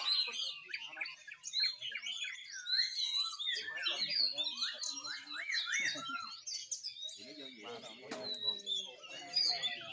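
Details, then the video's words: Several Oriental magpie-robins sing at once: a dense tangle of rich, varied whistles, slurred rising and falling phrases and sharp chirps, with faint human voices in the background. "chòe than nhìu"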